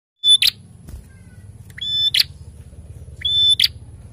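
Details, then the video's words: Prenjak singing energetically: three repeated phrases, each a steady high whistle followed by a sharp burst of notes, about every 1.5 seconds, over a faint low hum. "PRENJAK GACOR NARUNG SERU"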